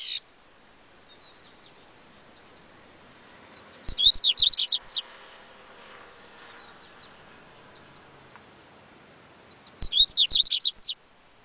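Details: Coleiro baiano, the yellow-bellied seedeater, repeating its song twice about six seconds apart, each phrase a rapid tumble of high whistled slurs after a few softer lead-in notes, with faint hiss between.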